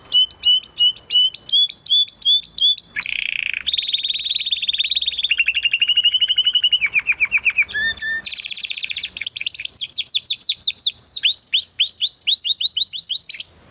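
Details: Spanish Timbrado canary from 2020 breeding, training song: a long continuous high song of rapid repeated tours, buzzy trills, rolling rattles and fast downward-sweeping notes, each section sustained for a second or two before changing.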